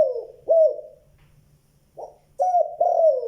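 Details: Spotted dove calling in the local style 'giọng đồng tốt tiếng 2 hậu lỡ': deep, hollow coos at an even low pitch, a long coo, then a short one, and after a pause two strong coos in quick succession, with a faint low hum beneath.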